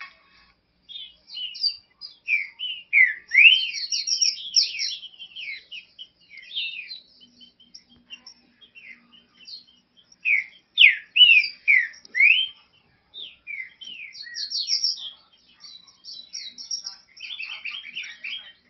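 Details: Green-winged saltator (Saltator similis) song used to warm up other saltators: loud, rich whistled phrases in quick bursts with short pauses between.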